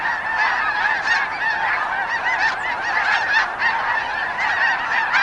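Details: Snow geese in Wisconsin: a dense chorus of overlapping nasal honks and yelps from many birds, steady and unbroken throughout.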